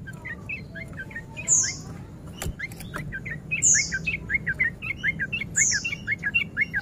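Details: Male sooty-headed bulbul in breeding condition, used as a lure to provoke other bulbuls to fight, singing in the rapid 'ropel' style: fast runs of short chirpy notes with brief high squeaky notes about every two seconds, over low background hum.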